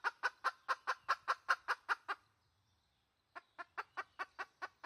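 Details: Red junglefowl hen, call used as a wild junglefowl lure, 2020: crisp, regular clucks at about two and a half per second, a second-long pause, then the clucking resumes.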